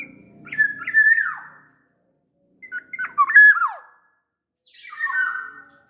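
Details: Big-bodied black-naped oriole from Sumbawa: a few short rising whistles, then a liquid fluty phrase with a sharp downward slur and a rasping descending note, with faint low background noise at the start.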